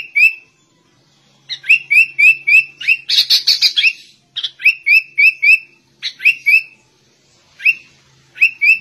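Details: Sooty-headed bulbul imitating the white-rumped shama, repeating short clipped whistled notes in quick regular series, interrupted by a dense buzzy burst mid-phrase, then more spaced-out whistles; a faint low hum persists in the background.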